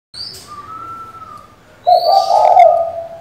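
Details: Female spotted dove calling to a male to provoke a decoy bird: one low, rolling, throaty coo phrase arrives late and loud, after a thin steady whistle and high squeaky notes from other birds.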